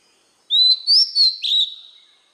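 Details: Single short phrase of white-rumped shama song for young birds to copy: a clear rising whistle followed by three quick bright notes and a trailing fading tone.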